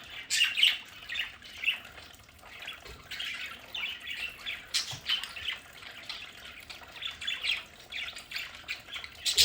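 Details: Home-kept budgerigars chatter in their play area, a steady mix of short scratchy squawks and chirps that rises and falls, louder at both ends.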